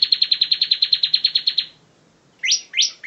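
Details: Bar-winged prinia, ngebren tutor recording: a quick run of high repeated chips fades out, then after a pause come three separate, louder upswept notes.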